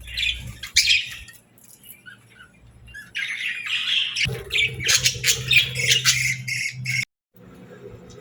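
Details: Happy pet budgerigars chattering, rapid raspy chirps and squawks building into a dense run, with a steady low hum and a sudden brief cut near the end.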